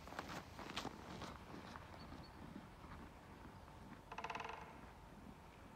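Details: Pair of great spotted woodpeckers at the Sundsvall nursing home entrance, Haga, 5 February 2022, the male drumming at intervals: a crisp half-second drum roll of rapid hammering late on, after some sharp clicks early.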